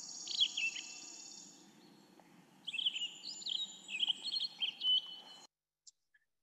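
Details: Male Cassin's Finch (Haemorhous cassinii) warbling song: two bursts of extremely quick, high, slurred warbling, the notes running together in tumbling phrases that are hard to tell apart, over a faint low hum.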